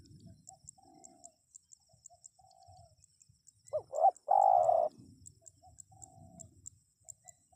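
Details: One spotted dove phrase in the middle: two short looping notes, then a sustained burry coo. Softer drawn-out notes come before and after, with a steady faint high-pitched ticking throughout.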